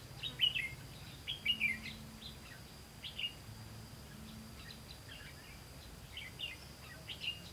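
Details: Red-whiskered bulbul heard at a trapping site on 18 September 2016, decoy luring wild birds; scattered short chirping phrases, loudest in the first two seconds, then sparse notes about once a second over hiss.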